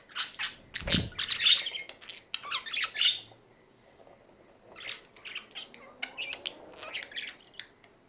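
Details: Budgies chattering steadily: dense, rapid, scratchy high chirps and squeaks with a loud squawk near the start, a short pause, then more irregular chatter.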